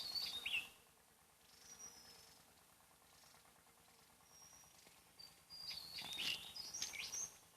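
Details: Wild Javan tesia from Java with a loud song that carries far. A short high jumbled burst opens the recording, scattered thin whistled notes follow, and a fuller tumbling phrase comes near the end over a low background hum.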